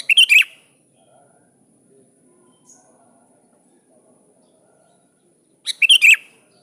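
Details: Calling a rival, a sooty-headed bulbul gives a quick gurgling phrase of three notes, falls silent for five seconds, then repeats it, over a constant faint high tone.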